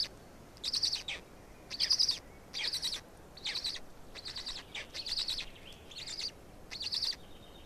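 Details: Two black stork young beg during feeding in Estonia, 16 May 2019, late afternoon. Hoarse, hissing wheezes come in steady bursts about once a second against quiet background noise.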